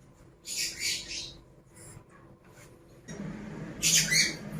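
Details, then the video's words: Pet lovebirds, a pair, uttering shrill, scratchy squawks in short clusters, with a softer murmur of room noise between bursts. "CİCİKUŞ SESİ----Cennet Papağanı"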